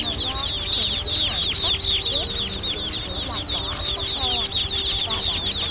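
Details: Several young munias, recorded as a netting lure, chirp in thin, high, downward-curving notes, slightly less crowded, with soft low tonal sounds in the background.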